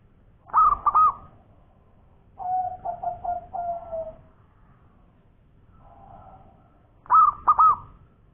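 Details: Local zebra dove in lively ngowor koar-koar song: hooked whistled note clusters, then a lower, pulsing cooing trill, a faint soft phrase, and another bright hooked cluster to close.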